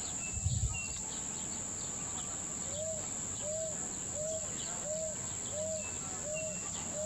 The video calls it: Saci (Tapera naevia) cantando